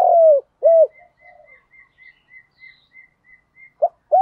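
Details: Spotted dove cooing in the song style called giọng thổ pha đồng: loud, low, slightly falling coos at the start and end, with a run of soft, higher, evenly spaced chirps from another bird between them.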